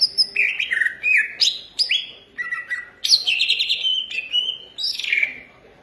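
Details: Lively song of an Indonesian green leafbird: loud, varied whistles that slide downward, interspersed with sharp high chips, delivered almost without pause.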